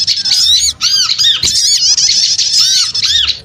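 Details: Lure sound of many small birds calling noisily together, a continuous mass of squeaky, scratchy chatter with recurring low arched slurred notes and short pauses, one faint thump in the middle.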